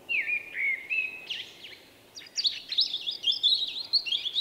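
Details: A shy male common blackbird with an unusual, distinctive song, recorded in late March 2024, sings. It gives a mellow, fluted warble, then breaks into a higher, squeaky twittering flourish over faint hiss.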